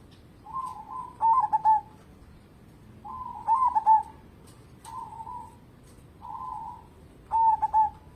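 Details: Actively singing local zebra dove, used to coax other birds to sing: soft cooing leads into loud stuttering trilled phrases, the pattern recurring several times at irregular intervals of one to three seconds.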